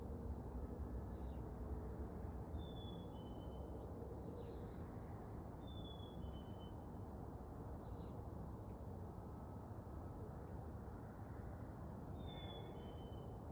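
A chickadee sings a clear, whistled two-note phrase, the second note lower, three times with long pauses, over a steady low traffic rumble.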